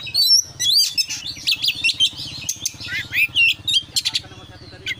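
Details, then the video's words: Oriental magpie-robin singing in 'gacor' full-isian style. Sharp high whistles and chips come in quick bursts over a steady low mechanical hum. "kacer gacor KONSLET full isian"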